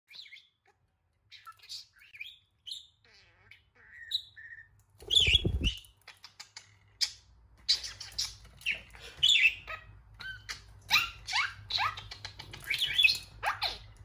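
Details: A pet budgerigar chatters in quick, scratchy chirps and warbles while attacking a Homer Simpson figure, with a thud partway through.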